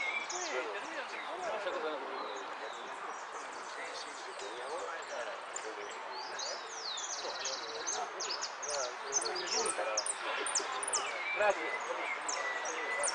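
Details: Singing contest at Monte Grande, 15 November 2015: a hooded siskin in the 'Amarillo sin cierre' category delivers a long, fast run of thin, sweeping notes and buzzy trills, high above a steady murmur of talking people.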